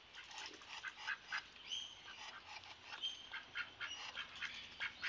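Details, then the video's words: A Muscovy duck drake, said to "talk" all day, gives breathy, hissing puffs in an uneven run of about four a second, with a few thin high squeaks between them. "Muscovy Duck Drake tries to talk."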